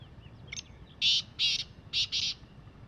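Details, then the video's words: A wild Black francolin (black partridge, kala teetar) gives a loud, harsh, grating call of four rasping notes in quick succession, the last two run together, after a faint opening note. "Black Partridge Sound | Desi Azad Kala Teetar | Jungli Kalay Teetar ki Awaz |Francolin Voice"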